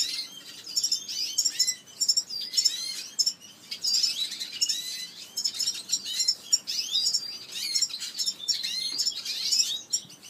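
Red-fronted serin chick begging: a continuous, overlapping stream of thin, high chirps and twitters, rapid and insistent throughout, with no other clear sounds.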